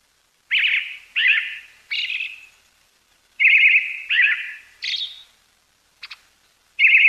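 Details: A brown-headed thrush, a winter visitor in Pingtung County, Taiwan, calls on 20 December 2022: short, burry, mid-high call notes, about one every second or less, some slightly higher-pitched, against a quiet background.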